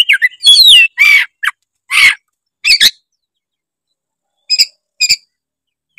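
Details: Oriental magpie-robin in full energetic song, offered as a lure to set other magpie-robins singing: a burst of sweet looping whistles and harsh scratchy notes in the first second, then spaced short phrases with pauses between.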